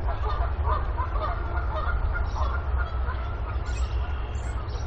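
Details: Mother goose brooding on a nest in the Decorah eagle nest, April 28, 2022, with five active goslings climbing and hopping around her while her sixth egg awaits hatching. Soft repeated honking notes sound over a steady low rumble, with faint high peeps near the end.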